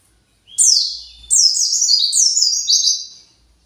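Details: White-eye, upset and seeking its flock, utters a short chirp followed by a longer chain of rapid, high, downward-slurred notes lasting about two seconds.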